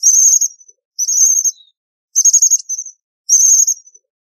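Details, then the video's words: Four quick, thin, buzzy trills from an American bushtit, each trailed by a fainter little note, very high and clean with nothing else audible. "American Bushtit Song! American Bushtit Call!"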